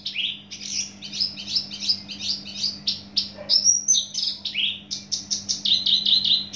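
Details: Javan bush lark originally from Java pouring out a fast, continuous song of high chirps, buzzy trills and sliding whistles, mimic-like and varied, with notes jumping up and down in pitch throughout.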